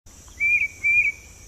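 A Tufted Titmouse whistles two clear, mid-pitched 'peter' phrases about half a second apart, over a steady high insect-like hiss.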